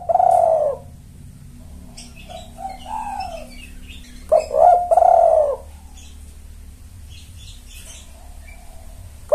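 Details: Spotted dove lure recording meant to attract males: deep, hoarse coo phrases in bursts, a long coo at the start, then a rising-falling coo and a double-note phrase, with faint high chirps and low hum behind.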